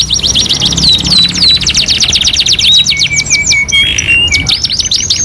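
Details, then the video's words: Canary in a two-in-one tutoring track: quick swooping whistles give way to a buzzy rattling trill, then a low flat buzzing note and sharp rising chirps. "MASTERAN KENARI 2 IN 1 | CANARY SINGING"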